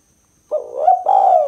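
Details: A spotted dove's 'kuk 2' call, used for luring: a soft lead-in note that lifts into a fuller, sustained coo, mellow and hollow, with no other sounds.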